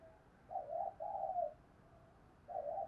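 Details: Spotted dove cooing played to lure birds: soft, low, rolling coo notes in a quiet run with a short gap between them, over a steady background hiss.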